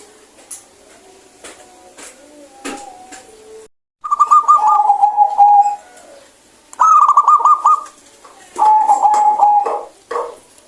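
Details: Actively singing local zebra dove with a clear voice, played to get idle birds calling. Faint clicks and a soft note lead into three loud phrases of quick, stuttering coos, some ending on a drawn-out lower tone.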